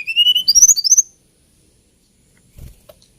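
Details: Brief hill blue flycatcher phrase: about one second of thin rising and sliding high whistles, stepping upward, followed by near silence with a faint low knock at the end.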